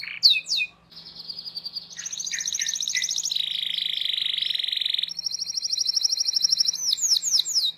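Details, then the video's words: Canary song used as a training tutor for young canaries, a long roll of steady trills: rapid buzzy tours at changing pitches, one sustained low rolling section, ending with sharp slurred chirps. "PANCINGAN Kenari GACOR PANJANG Cuit Cuit EMOSI‼️ MASTERAN Kenari PAUD belajar BUNYI"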